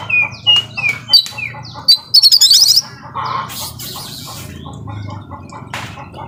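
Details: Oriental magpie-robin song of rapid mimicked phrases: clipped whistles and a quick rattling trill early on, then quieter harsh notes over a steady background hiss.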